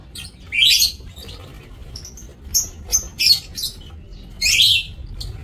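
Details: Aviary-kept lovebirds, 27 March 2024, making shrill, buzzy squeaks and short harsh chatters, a loud burst early, a quick series of clipped notes mid-clip, and another harsh burst near the end.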